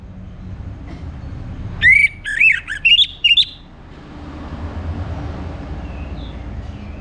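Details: An orange-headed thrush in northern Bali, recorded in the morning as a lure to set captive birds singing, gives a two-second burst of harsh, squawky notes mixed with high whistled phrases, over a low rumble like distant traffic.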